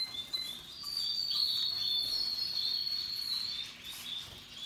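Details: Happily singing canaries, Russian yellow and Timbrado types, give a sustained high rolling trill that runs almost the whole time, with a few brief chirps at the start and end.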